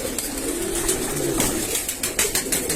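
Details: Domestic pigeons cooing inside a rooftop pigeon loft while the interior is shown; soft, low murmuring coos run through the clip under room noise, with brief rustles and scattered clicks.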